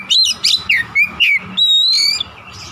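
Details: Oriental magpie-robin song meant to draw other kacer into singing. A rapid run of squeaky, slurred, up-and-down notes leads into a sustained, slightly rising whistle, then a soft scratchy note.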